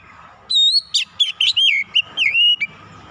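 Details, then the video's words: Oriental magpie-robin (kacer) lure song, played to fire up a bird and make it show its full repertoire: after half a second of quiet, about eight loud, clear whistled notes, sliding up and down, in quick succession, with faint low hum beneath. "PANCINGAN KACER LANGSUNG PANAS BONGKAR ISIAN"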